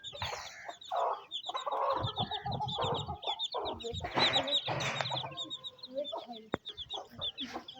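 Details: Hen feeding her young chicks in the rain at a Pakistani village; loud, fast clucking from the hen over a constant chorus of shrill chick peeps, with one sharp click near the end.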